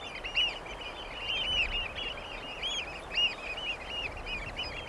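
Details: Eurasian oystercatcher chorus of fast piping, a running rattle of arched notes with occasional louder, clearer kleep calls standing out.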